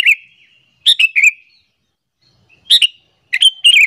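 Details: Sooty-headed bulbul lure call that provokes other bulbuls: loud sharp chirps dropping into short whistled slurs, delivered in two groups separated by a pause of over a second.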